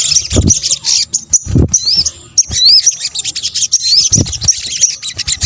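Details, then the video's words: Sunbird, local Indonesian name sogok ontong, calling as a lure sound: high sharp chirps and quick upswept whistles in bursts, with low thumps and background rumble. "kombinasi suara sogok ontong"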